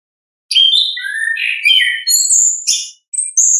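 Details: Orange-headed thrush in natural 'ngeplong' song style, recorded as a lure to stir lazy or learning thrushes into singing: varied clear whistled phrases, some sliding downward, others high and thin, with short pauses and no background noise.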